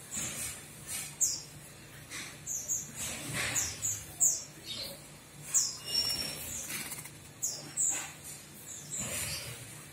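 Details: Javan myna heard in a series of short, high chirps and sharp whistled notes, with harsh broadband rasps between them in an irregular run of bursts.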